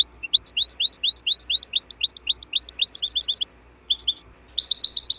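A European goldfinch sings a fast, tinkling run of bright rising chirps, pausing briefly before a burst of higher, buzzy twitters.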